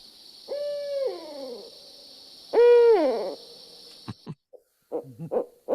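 A Barred Owl gives two deep, resonant hoots about two seconds apart, each ending in a drawn-out downward slide, over a steady high hiss; brief voices and laughter follow.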